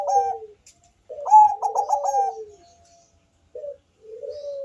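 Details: Bangkok-type zebra dove, sung to entice other doves into calling, voice described as thick and bass: quick stuttered coos rolling into a falling purr, silence, then a short note and a drawn-out coo.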